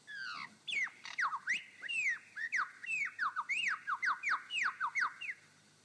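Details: Male superb lyrebird on his dancing mound in Sherbrooke Forest Park, Victoria, gives its own territorial call: a rapid run of loud, ringing whistles, most sweeping down from high to middle pitch, about three or four each second.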